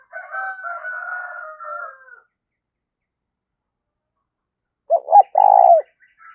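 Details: Decoy spotted dove giving a luring 'gáy gọi' call for training other doves: after two seconds of faint thin whistled streaks and a long silence, two short low hoots lead into a drawn-out hoarse coo.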